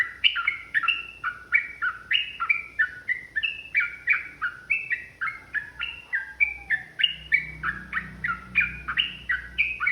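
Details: Yellow-vented bulbul in an agitated, combative long 'ropel' song, rapid bubbly notes pouring out about three per second with shifting pitch; a faint lower sliding sound passes midway, with a soft low rumble in the background.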